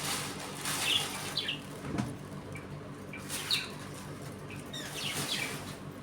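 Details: Budgerigars in a home colony while eating, playing and fighting, giving scattered high chirps and short squawks with pauses between, over a steady low indoor hum and some rustling.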